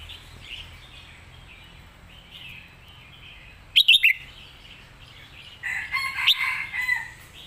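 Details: Red-whiskered bulbul, a competition songbird, giving a master-song style recording: faint distant chirps over quiet background, then a sudden short burst of loud, sharp whistled notes, and later a longer run of bright, lively chirping warbles.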